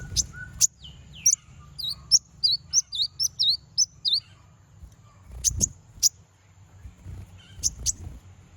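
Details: Konin bird calling to provoke rival birds: a quick run of high, thin, down-slurred chirps spaced about a third of a second apart, followed by sharp high clicks. A low rumble runs underneath.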